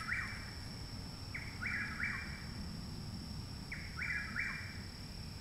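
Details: Chuck-will's-widow in Parkersburg, West Virginia, on 29 May, a full month after arrival, sings loudly nearby: repeated three-part whistles, a brief note then two longer slurred ones, every two to three seconds, over steady low noise and high hum.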